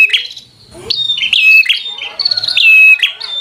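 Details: Bar-winged prinia in fighter-style song that incites rivals. After a quiet gap, a series of buzzy snaps and bright whistled notes follows in quick succession.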